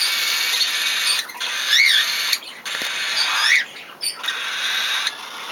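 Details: A cockatiel chick begs with harsh, rapid, raspy chatter broken by short pauses while its mother feeds it.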